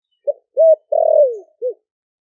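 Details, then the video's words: Caged spotted dove, wild-caught, four months in a cage, Ninh Thuận, Vietnam, in deep 'thổ sấm' voice calling doves over; a single low coo phrase, short-arched-long falling-short, in a quiet setting. "Cu gáy kích bổi nhanh nổi GIỌNG THỔ ĐẶC ( THỔ SẤM )gáy gọi bổi về"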